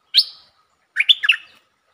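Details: Streak-eared bulbul singing, recorded 13 February 2023, lure-style song: a bright whistled note near the top, a short pause, then a warbling phrase of three rising-falling slurred notes.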